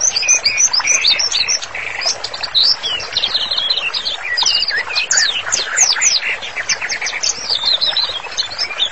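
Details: White-rumped shama in continuous varied song for training: dense high chatter, quick slurred whistles and rapid note series with lower warbling underneath.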